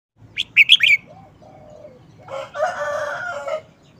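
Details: Red-whiskered bulbul showing off its short song phrasing: one quick burst of bright, warbled whistled notes, then a louder, harsher broad sound from another source that fills the second half.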